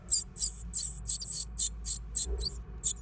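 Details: Great tit nesting in an old stove: a fast series of very high, thin, hissy chirps, about three each second, over a low steady hum.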